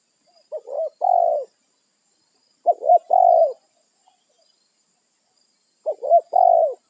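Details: Spotted dove in the wild calling companions, territorial; three clear coo phrases spaced roughly two and a half seconds apart, each a rapid double note followed by a drawn, gently falling coo.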